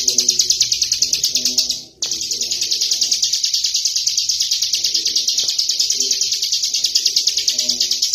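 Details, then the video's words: A tame Bar-winged Prinia, out of its cage, sings a high, rapid, unbroken stream of buzzy repeated notes, pausing only once briefly, over a faint low background murmur. "CIGUN JINAK GACOR NGEBREN"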